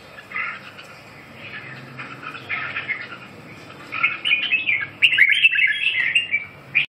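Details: Red-whiskered bulbul singing soft warbled notes that build into a louder, rapid, chattering run of liquid, slurred phrases toward the end, over a low background hum.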